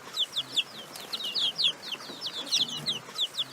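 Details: Baby chicks peeping cheerfully: a dense stream of high, thin, downward-sliding peeps, several per second, overlapping from many chicks.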